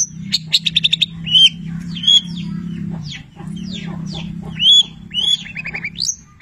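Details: Long-tailed shrike singing Cendet Petir style with labet and canary imitations: a quick stuttered trill, then varied whistled slurs, rising and falling notes, and a final rapid trill, over a steady low humming background.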